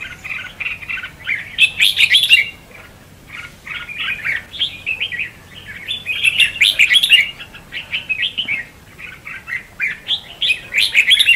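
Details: Red-whiskered bulbuls in a singing duel, recorded as decoy song for trapping; long bubbling runs of chirpy notes, about three per second, swelling into loud dense bursts twice, separated by a short lull.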